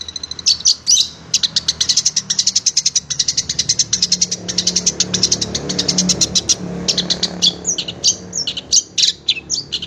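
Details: Long-tailed shrike, called cendet, in a training recording for kept songbirds: long runs of very rapid, evenly repeated high ticking notes, briefly pausing, then a looser chatter of sharp chips.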